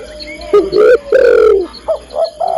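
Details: Female spotted dove calling the male: one loud coo phrase, a short rise then a long sliding fall, followed by several soft, short upturned coos.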